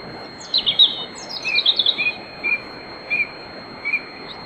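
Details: A European robin singing in darkness before dawn at a grove in Bóveda, Lugo: an intricate high twittering burst, then a series of short, softer, lower notes spaced about half a second apart.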